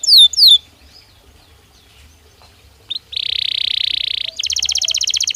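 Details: Belgian canary, song played as daily stimulus for training: two quick descending chirps, a long pause, then a dense buzzy trill followed by a higher, rapid rattling roll.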